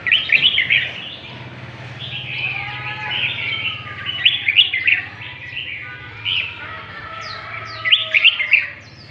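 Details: Lân tê song from a northern Vietnamese red-whiskered bulbul: clustered bright warbled phrases recurring every few seconds over a steady low hum and faint tonal background notes.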